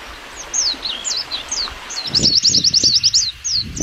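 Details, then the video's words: White-eye in the wild singing a fast, high, thin twittering of slurred chirps, about three notes a second, with low rustling thumps in the background. "Suara Burung Pleci"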